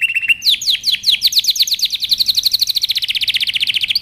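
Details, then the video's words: A canary sings a powerful training song: a short flat trill followed by a long, accelerating series of crisp downward-sweeping notes, about ten per second, all at a similar pitch. "canary singing over power canary most powerful song for best training"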